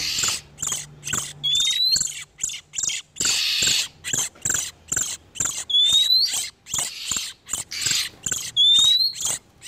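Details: Oriental magpie-robins, male and female in breeding condition, used as a lure for catching wild birds: harsh, scratchy bursts in quick irregular series, with a clear rising whistle every few seconds.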